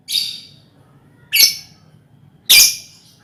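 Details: Lovebirds calling in a colony, played as a lure for trilling: three separate sharp, high squawks roughly a second apart, each fading quickly, with quiet gaps between.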